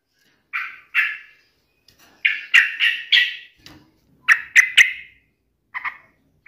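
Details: Yellow-vented bulbul challenging a rival with song: short, rich, slightly harsh phrases delivered in clusters of two or three, separated by brief pauses.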